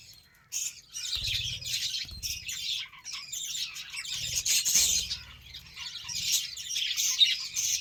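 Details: Budgerigars being fed beetroot: dense, high, scratchy chirping and warbling chatter that runs almost without pause, with brief louder squeaks, over faint low thumping.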